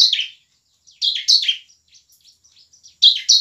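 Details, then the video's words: Emotional bar-winged prinia song played to make quiet birds sing; brief harsh chirp, pause, then a scratchy three-note chatter and soft scattered ticks before another loud pair. "CIBLEK GACOR penuh emosi ngebren dan nembak cocok untuk pancingan ciblek malas berbunyi"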